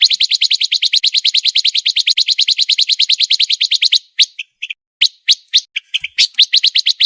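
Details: Pancawarna song, a rapid master recording meant for contest birds: a long, even run of quick high chirps, then scattered sharp whistled notes with brief gaps.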